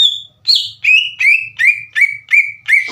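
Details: Green leafbird singing loudly in captivity, its song used in Indonesia to stir untrained leafbirds into singing back; a series of eight rapid, upslurred whistled notes about every third of a second, with faint low hum.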